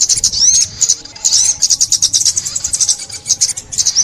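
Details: Sunbird twittering, recorded for trapping in 2021: thin rising and falling whistles and rapid high chirps, coming in dense clusters with short breaks.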